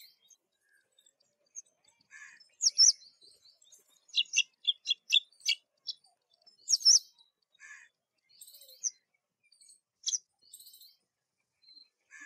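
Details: Black drongo in spring, giving scattered high, sharp chirps and short metallic notes, some clustered in quick runs around four to five seconds, with brief pauses between bursts; no other clear sounds.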